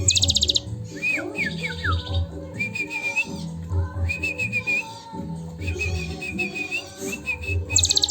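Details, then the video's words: Sunda bush warbler singing a long cililin-style filling for training: buzzy high trills at the start and end, between them descending whistled slurs and short chirpy phrases, with soft low music throughout. "Glatik Batu Gacor Isian Cililin panjang"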